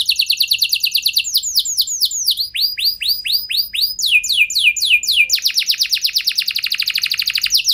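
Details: Canary in full song, used to encourage other canaries to sing: rapid high trill, then a run of loud descending swept whistles, switching to fast rolling trills at two different pitches.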